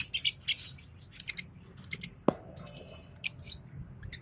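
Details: Fischer's lovebirds, green pair, giving high squeaky chirps in short clusters, with one sharp click midway and quieter scattered notes after.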